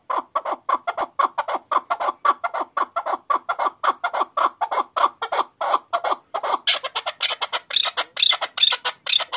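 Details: Hunting chukar partridge in an excited state gives a long, steady train of rapid chuck-chuck notes. The notes turn brighter and sharper near the close.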